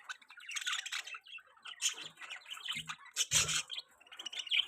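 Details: Budgie chirping: busy stream of scratchy warbled chatter and short squeaky chirps, broken into rapid bursts with a few low thumps.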